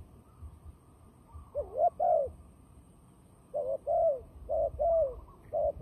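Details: Turtle dove, a fighting dove used for trapping, gives scattered paired coos, one pair early then a cluster of rounded, slightly rising-falling notes later, over a quiet low hum.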